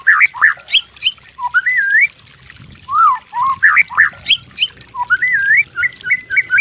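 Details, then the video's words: Master-song recording of a white-rumped shama for training other birds: looping whistled phrases that rise and fall, high sharp notes interleaved, delivered in bursts with short pauses between groups. "MASTER MURAI BATU YANG GAMPANG DITIRU, DI BANDING BURUNG MASTERAN"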